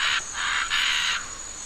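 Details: Scarlet Macaws in Costa Rica, feeding on nuts in a tree, screech to let the rest of the group know they are there: three harsh, raspy screeches in quick succession over a faint steady insect hiss.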